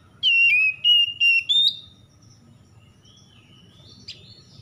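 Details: Oriental magpie-robin at dawn in the morning dew, delivering four rapid, loud whistled notes that waver and climb, then a thin trailing whistle, followed by quiet with a single faint chip.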